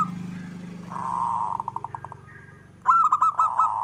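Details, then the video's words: Local zebra dove singing actively: a soft drawn-out coo breaks into a quick series of beating notes. A loud burst of rapid, rolling staccato coos follows near the end over a continuous low hum. "Perkutut lokal gacor 99% suara perkutut manggung Nutut gacor"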